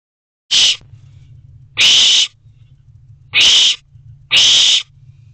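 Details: Owlet inside a nest box at 9:58 pm on 29 June 2023, filmed on a box camera: four harsh, breathy hissing screeches of about half a second each, spaced irregularly, over a steady low electrical hum.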